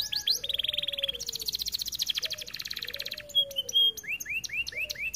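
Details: Canary song used for training other canaries: a long buzzy pulsed rattle over low drawn whistles, followed by sharp high notes and a series of rising curved whistles.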